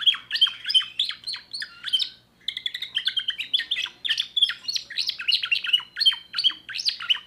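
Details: Young timbrado canary hatched in 2024, singing a new repertoire: dense rapid trills of short chirpy notes, with a brief pause near the middle before the fast, metallic phrases resume.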